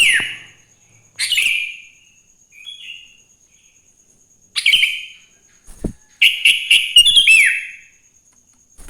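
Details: Sooty-headed bulbul singing in the morning, a recording meant to prompt other bulbuls to sing. Short bright chirpy phrases with sliding whistles come in bursts separated by pauses, with a thin steady high tone in the background.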